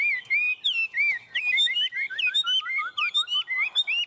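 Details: Chinese hwamei in 'ôm cống' song on a hand, a tame bird: steady, rhythmic slurred whistles, with a descending sequence of short notes in the middle.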